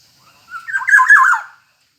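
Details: A Black-naped oriole sings vigorously, producing one short, mellow fluted phrase: a thin lead-in note, then rapid rolling, slurred whistles sliding downward, with no other sounds around.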